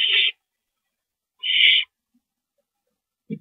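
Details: Owl during a rodent delivery, 28 March 2012 at 9:01 PM, giving two hoarse hissing screeches about 1.5 seconds apart, followed by a short low knock.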